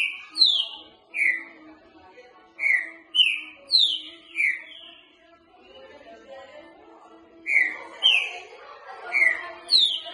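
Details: Boca mole singing by a green-winged saltator for training: repeated triplets of loud whistled notes that step upward in pitch, with a short pause and some muffled lower sound partway through.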